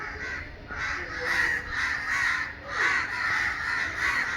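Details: An agitated gathering of crows, disturbed and calling together; rough caws swell and fade in pulses about every second and a half, many birds overlapping, with a faint human voice underneath.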